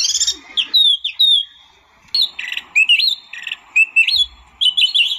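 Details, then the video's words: White-eye, known locally as tieu mi or wambi mini, singing high clear whistled phrases with sharp chirps and short buzzy bursts, broken by a pause of about a second before brisk twittering resumes. "kicau burung tieu mi atau wambi mini"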